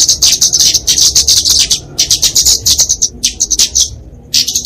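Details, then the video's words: Flowerpecker (kemade) fighting song used to tutor and lure songbirds: fast, sharp, very high ticking notes in rhythmic bursts, then a pause and a final burst. "Kicauan Kemade Tarung Untuk Masteran&Pikatan Burung Kecil"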